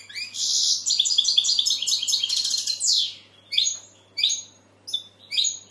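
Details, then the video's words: Goldfinch delivers a dense buzzy, tinkling phrase lasting about three seconds, then a few separate short chirps spaced roughly half a second apart, over a low hum. "Goldfinch bird singing the best sounds (chirping)"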